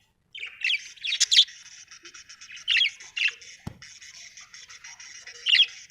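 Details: Happy budgerigar chirping: bright, scratchy warbled chatter with short squeaky notes and brief louder bursts, set against a steady high buzzy trill, with a sharp click midway.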